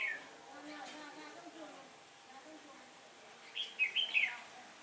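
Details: Red-whiskered bulbul decoy bird singing competitively to lure wild ones into a trap on a windy day: soft background murmur and faint voices, then a loud phrase of three or four slurred whistled notes.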